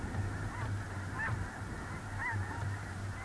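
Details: Snow geese gathered in a large flock on a small central North Dakota lake, early November 2021. Distinct nasal honks rise above a constant background din of many calling birds, and a low steady rumble runs underneath.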